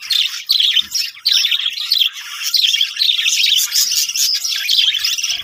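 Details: Budgerigars in a colony setup giving a dense, continuous chorus of high chirps and warbling chatter from many birds at once, steady throughout with short dips between bursts.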